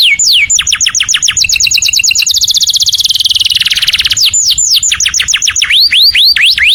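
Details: Loud canary song for imitation training: sweeping whistles give way to a long, very fast rolling trill, then slower rising and falling whistled notes.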